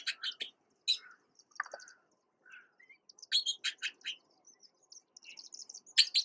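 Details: Juvenile Red-billed blue magpies with a feeding parent, Uttarakhand, India: bursts of sharp, clipped chattering notes, brief downslurred whistles and a thin high trill, the chatter returning loudly near the end.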